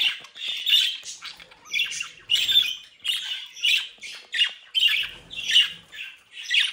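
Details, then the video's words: Bred budgerigars kept indoors in the Netherlands, a lively young brood, chatter in rhythmic scratchy squawks about twice a second, buzzy and rasping, with short silences between bursts. "Mi cría de Periquitos Australianos traviesos"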